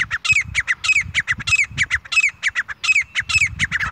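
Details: Grey francolin, a female, with a pair calling in jungle: a fast run of harsh, squawky, ringing notes, about twenty in four seconds, delivered in uneven bursts with brief gaps and a faint low rumble underneath.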